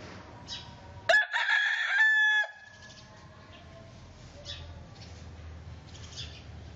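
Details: A big rooster, one of four different breeds in a crowing compilation, gives a single loud, harsh crow of about one and a half seconds, ending in a drawn-out note, with a steady low background hum before and after.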